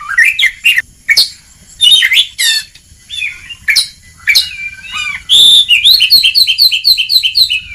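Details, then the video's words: Kacer, the white-rumped shama, in a training recording for lazy birds; assorted whistled notes and harsh bursts, closing in a quick, even run of repeated high chirps. "Kacer Ngeplong!!! Masteran sangat ampuh untuk terapi mental kacer malas gacor"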